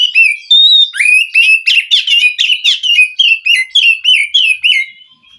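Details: Wild white-rumped shama from the forest answering a captive bird reluctant to sing: a fast run of loud, rich, slurred whistles, about three notes a second, each dropping then rising, fading at the end.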